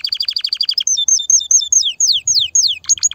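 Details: Excited canary singing to prepare females for mating and nest building: a fast buzzy trill of repeated notes, then clear whistled downslurred phrases repeated about every quarter second, ending in sharp rising notes.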